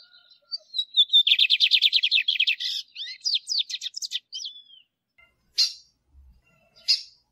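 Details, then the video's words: Caged-bird training recording of a male lined seedeater: whistled lead-in notes, a rapid buzzy trill, then a jumble of varied slurred and arched notes, followed by two isolated sharp chips. "CANTO DO BIGODINHO MACHO E PIADO DA FÊMEA BIGODINHO"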